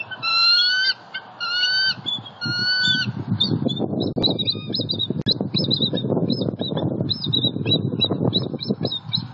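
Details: Wild bald eagle pair bonding at their nest in Southwest Florida on an October 2019 morning, with fish brought in; three strong stacked call bursts, then a rapid series of thin, chirping high notes over rustling and wind-like noise.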